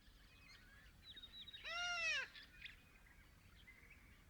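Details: Little corella in Paroo-Darling National Park, Australian outback, giving a single loud wavering, arched harmonic call about half a second long, with other faint bird calls in the background.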